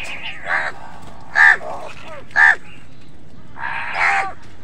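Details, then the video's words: Crows cawing while wild birds and crows fight over food: hoarse, harmonic caws spaced irregularly about a second apart, two louder and sharper than the rest, against a low background hum. "crow sound কাকের ডাক"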